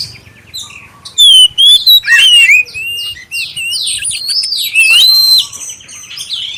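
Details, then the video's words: Black-breasted oriental magpie-robin giving a clear prompting song meant to get other magpie-robins singing: rich, varied whistled phrases with sliding and rising notes, short buzzy bursts and high chirps, loud and continuous after a quiet start. "suara pancingan kacer dada hitam suara jernih"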